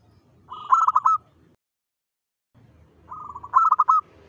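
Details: Local zebra dove song used as a lure to attract other zebra doves: two short phrases of soft, quick, pulsed cooing notes, each ending in a level held coo.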